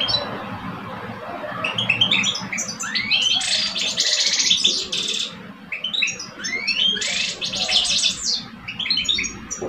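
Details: Two caged male European goldfinches from Algeria, a mature older bird and a two-year-old, in a singing duel: rapid twittering phrases broken by dense buzzy bursts and rising slurred whistles, with a faint low hum behind.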